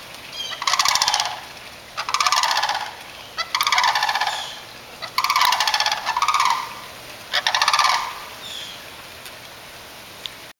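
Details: Cranes in a neighbourhood give loud, rolling, trumpeting calls in bursts of about a second, repeated six times over ten seconds, with a steady hiss behind them.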